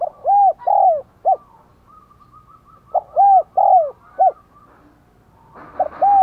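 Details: Decoy spotted dove with a "Giọng Đồng Còi" voice, cooing and calling to stir wild doves: loud, low, mellow coos in groups of three or four, each note a short arched hoot, repeated after short pauses.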